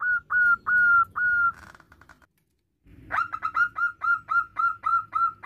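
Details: Local male zebra dove calling to its mate: four drawn-out clear coos, a short quiet gap, then a regular series of about a dozen shorter rounded notes over faint low hum.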